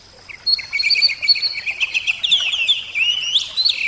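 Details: Oriental magpie-robin, Javan type, singing a rich, fast song: rapid repeated whistled notes, then sweeping rising and falling phrases and varied warbles, loud and continuous.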